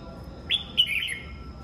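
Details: A red-whiskered bulbul in the morning delivers a brief clear phrase: a rising whistle, then a longer bright note that wavers and falls away, over a faint constant hum.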